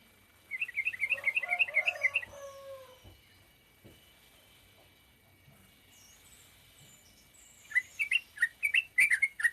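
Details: Sooty-headed bulbul giving the short 'ropel pendek' song style: bursts of quick, bright chirping notes repeated rapidly, a pause with faint lower warbling and rustles, then another fast run of sharp notes.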